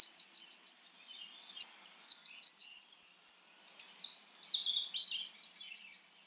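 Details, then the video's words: A Blackburnian warbler gives very high, thin, rapid series of notes in three quick bursts, the last with sharp upslurred squeaks; no other sounds intrude. "Blackburnian warbler calling"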